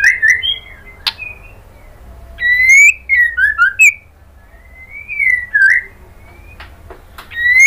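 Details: Kretekan call of a female white-rumped shama calling the male, meant as a lure to excite him: short bursts of slurred rising and falling whistles with pauses between them and a few sharp clicks.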